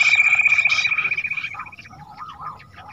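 Bush quail giving a high, steady whistle with a rapid buzzy edge for about a second and a half, then softer broken chirps trailing off.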